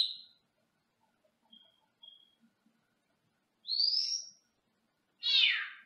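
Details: Male Senegal parrot caged indoors in another room: brief high whistles and soft chips, then a long rising whistled note and a final loud, harsh, descending squawk.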